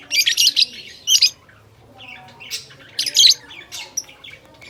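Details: Lovebirds calling: bursts of shrill, high squeaky chirps and squawks in short clusters, a pause, then more rapid chattering notes, indoors with quiet low hum behind.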